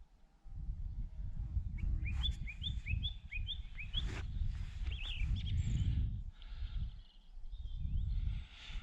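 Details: A song thrush singing from bushes near Minninglow Hill in the Peak District repeats a short, clear, high note several times quickly, then moves to new phrases, with skylarks also present, over strong wind rumble and a man's voice.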